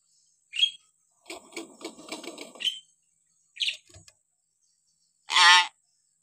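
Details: Hill myna calls used as tutor sounds for training young or silent captive mynas: a short sharp whistle, then a harsh rasping chatter, another brief whistle and a loud grating screech near the end, with silent gaps between.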